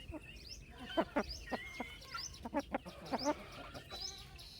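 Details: Chicks on a farm chirping: thin, high sweeping peeps scattered through the recording, broken by loud knocking or tapping clicks.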